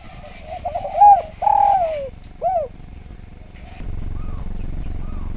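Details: Spotted dove singing eagerly, a training recording meant to coax other doves to sing: three mellow, hollow coos that glide downward at the end, then two soft, short coos after a pause, over a steady low hum.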